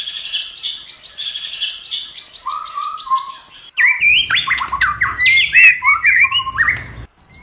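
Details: White-rumped shama in varied song meant to stimulate other shamas: a fast buzzy trill pulsing for about four seconds, followed by loud jumping whistles and slurred notes over a low hum.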